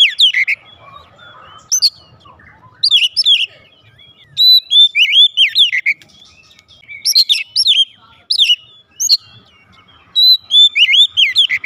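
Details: Oriental magpie-robin kept at home calling back loudly: repeated bursts of clear looping whistles mixed with sharp high chips, delivered in groups every one to two seconds.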